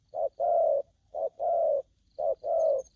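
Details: Spotted dove calling aggressively: paired low coos, a short note followed by a longer, steady, slightly falling coo, repeated three times about once a second, with a faint high tone in the background.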